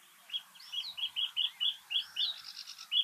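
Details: Reed bunting singing in Uitgeest, the Netherlands, in 2023: a string of short chirpy notes about three per second. A few higher slurred whistles are likely from a sedge warbler in the background.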